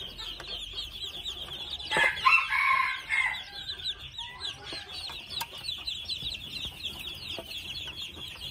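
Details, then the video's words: Two-month-old red junglefowl chicks keep up rapid high peeps, about three a second, while a louder harsh, mid-pitched call breaks in near the start. "Gà rừng 2 tháng tuổi | red jungle fowl 2 months"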